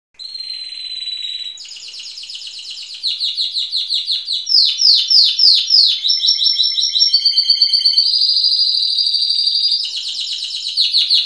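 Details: Timbrado canary, a bird scored 92 points in 2011, singing a continuous varied song of rapid repeated trilled notes and rolling metallic phrases, shifting between distinct high tours every one to two seconds.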